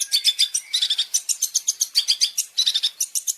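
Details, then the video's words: Long-tailed shrike training song for caged birds with rich fill-in variations: a continuous, dense run of rapid high chattering and twittering notes, loud and unbroken, with scarcely a pause. "Masteran Burung Cendet Terbaik 2026 | Full Isian Juara Nonstop"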